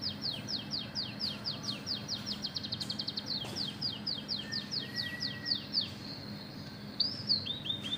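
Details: Oriental magpie-robin singing a canary-mimicking song, described as a lively 'gacor' performance: long runs of rapid, high downslurred notes, about four per second, with a few brief whistles near the end over a steady low hum.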